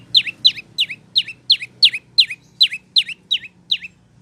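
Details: A prinia, locally prenjak lumut or lancur, sings for training cage birds: eleven loud, high, falling chirps at a steady pace of nearly three a second, with low background hum.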